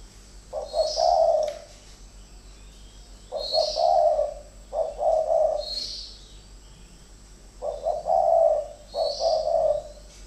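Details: Two decoy spotted doves in a captive calling fight. Hoarse, low coo phrases begin with stuttered short notes and come in spaced bouts every two to four seconds. Each bout is joined by a faint high chirp.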